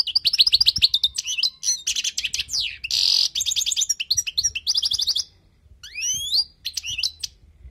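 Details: European goldfinch in wild-style song for tutoring, delivering a fast continuous twitter of tinkling notes with a harsh buzzy burst near the middle, a brief pause, then quick upward-slurred whistles.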